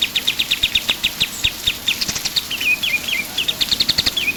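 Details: Pied triller in full song, recorded for tutoring cage birds: a steady string of sharp repeated chips, then several sliding notes that dip in pitch, and another quick trill.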